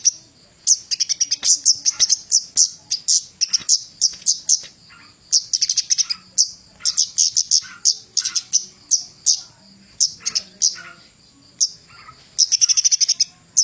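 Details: Javan cochoa, a master recording for training songbirds: long, nearly continuous series of rapid high chirps in quick bursts, pausing briefly and ending in a dense rattling run.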